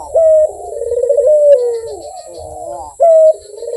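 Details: Lively, sweet-voiced Barbary dove: a bright held note opens a long, quavering, gently falling coo. The bright note returns near the end, over a low background hum.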